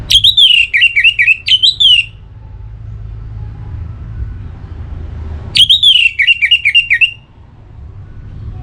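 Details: Orange-headed thrush in breeding condition, a kept bird from Singaraja, North Bali, calling a rival: two loud bursts of quick, dipping whistled notes about five seconds apart, each around two seconds long, low hum between.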